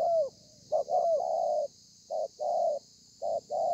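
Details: Wild-caught spotted dove, recorded 30/11/2020, singing the 'thổ pha' cooing style with 'lèo dặm' flourishes: short mellow coo, then longer hollow coos with slight downward bends, in groups of two or three. Steady faint hiss in the background.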